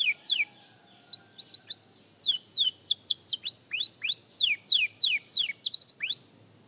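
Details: Practice song of a young canary: a run of sharp, high whistled notes sliding downward, about three per second, after a quiet start, ending in a quick cluster of short buzzy notes.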